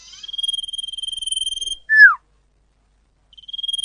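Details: Common iora lure call, clear and loud: a long buzzy trill held at one high pitch, then a single sharp falling whistle, then the trill starts again after a silence.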